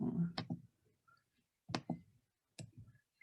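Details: Short bursts of a person talking indoors, separated by silent pauses, with no animal sounds.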